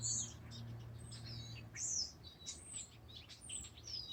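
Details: Bird song with piercing high chirps, sweeping whistled notes and quick twitters repeated in short bursts, a low hum fading in and out.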